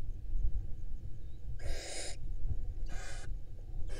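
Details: Female barn owl at a nest camera in Israel, a breeding pair with eggs laid April 2022 and nestlings hatched in May; three harsh breathy hiss bursts, each about half a second, over a steady low rumbling hum.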